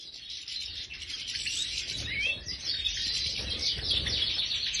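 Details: Major European goldfinches kept in an aviary, a dense, continuous high twittering chorus of overlapping buzzy and tinkling notes, several birds singing at once with a faint low background hum.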